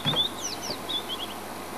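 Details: A White-browed Scrub-robin, apparently a male singing to display, perched in a buffalo thorn at Djuma, South Africa: a quick phrase of high, sweet whistled notes, some slurring downward, then a few short clear notes, over a faint low rumble.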